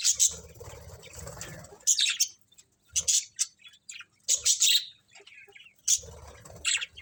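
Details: A budgie colony of colourful birds gives sharp, bright chirps and squeaky whistles in clustered bursts, over a faint low rumbling background at the start.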